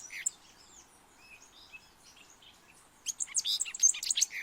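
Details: Thick-billed euphonia in Colombia: a few scattered faint high notes, then a burst of loud, fast, high-pitched chirping and twittering in the last second and a half.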